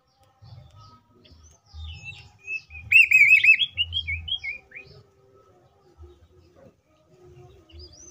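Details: Green leafbird singing a rich run of high, warbled whistles and trills, used as a lure to get other green leafbirds singing and excited; loudest in a rapid wavering burst mid-phrase, low thumps in background.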